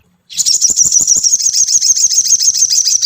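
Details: Ruby-cheeked sunbird song used to lure a caged bird into song: after a short silence, a fast, unbroken, high-pitched chattering trill of rapid ticking notes that runs steadily to the end.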